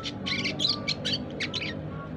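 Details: Four-month-old caged red siskin learning to sing, giving a rapid chattering run of short buzzy, scratchy twittering notes packed over two seconds, with a faint steady hum behind.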